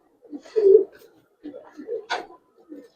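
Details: Budapest highflyer pigeon in a loft giving one loud low coo followed by softer short gurgling coos, with a brief sharp noise partway through.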